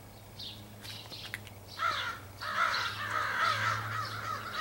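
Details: Flock of crows in an extended family group, possibly choosing mates, 4 April 2015; a few soft calls, then a swelling run of harsh overlapping caws, with a steady low hum beneath.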